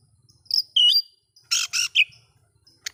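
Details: Oriental magpie-robin song used to provoke other magpie-robins: a few scattered whistled notes and harsh buzzy bursts separated by pauses, with a faint low hum underneath.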